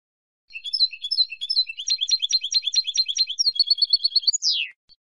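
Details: European goldfinch female calling to excite a silent male into singing: a long run of high, liquid twittering notes that quickens into a rattling trill and ends in a sharp downslurred note.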